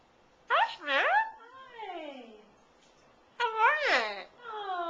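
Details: Pet parrot indoors imitating speech, said to use old-timey talk such as "How are ye"; two short voiced, wavering phrases with sliding harmonic tones, the second rising then falling, separated by a quiet gap.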